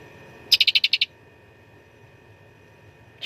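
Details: Cucak ranting singing its fighting song for contest training: one half-second burst of six or seven quick, loud, bright notes, followed by quiet, then a single sharp note.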